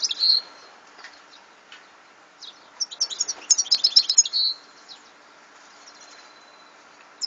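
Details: European goldfinch song from 2014: a buzzy opening note, a long pause, then a rapid bubbling burst of high twittering and trilled notes ending on a nasal buzz.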